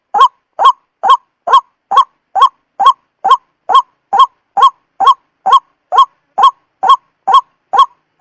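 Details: Lure recording of a white-breasted waterhen, known locally as wak-wak, used for trapping: rhythmic honking notes repeated evenly a little more than twice per second, each a brief upward-sliding croak, in an otherwise silent background.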